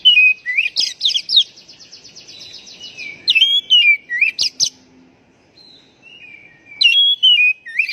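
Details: White-rumped shama played to coax silent or stressed birds into song; fast buzzy sweeping notes with a trilling undertone, a loud varied phrase midway, faint soft whistles, then a final whistled run.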